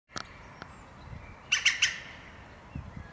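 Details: Japanese green woodpecker visiting and filmed nearby, giving a brief burst of three harsh, squawky notes about halfway through, with quiet outdoor background and a few faint low thumps.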